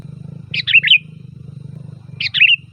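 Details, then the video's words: Lure song of the sooty-headed bulbul for attracting bulbuls: two brief liquid phrases of three or four rolling, slurred notes about two seconds apart, with a continuous low mechanical drone underneath. "Suara Burung Kutilang Gacor FULL VARIASI"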